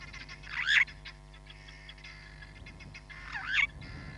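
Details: Hamerkop filmed on 31 July 2021 by the Nkorho Bush Lodge live camera. Two loud, harsh, twisting squeals are separated by about three seconds, with scattered soft pips between them and a low background hum.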